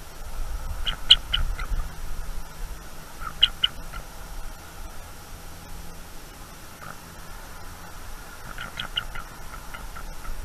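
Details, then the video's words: Eagles at a nest in northeast Florida on 23 October 2021, awake at night and defending against a harassing owl: faint high chittering bursts in quick series near the first and fourth seconds and again late, over steady low hum. "The Eagles defend from a nightime Intruder"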